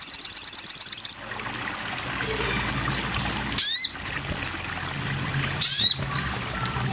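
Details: Sogon bird song on a training recording: opens with a rapid high pulsed trill, then a quiet gap, then two loud harsh descending buzzy notes about two seconds apart.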